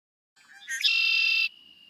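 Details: A Red-winged Blackbird, a common local year-round bird found in many habitats, gives its distinct conk-la-ree: a few short, sharp opening notes, then a loud buzzy rasping trill of about a second ending in a thin whistled tail.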